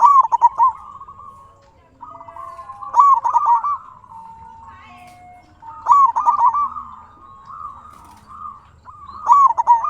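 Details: Local zebra dove in strong, lively song, used as a lure and model to make quiet or stressed doves answer; bursts of soft rapid staccato cooing notes, each followed by longer purring coos, with phrases about every three seconds.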